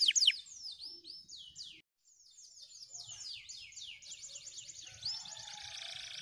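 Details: White canaries on dry stalks sing a quieter phrase: sharp high notes, then a string of descending slurred whistles. A brief silence follows before the rippling trills build again.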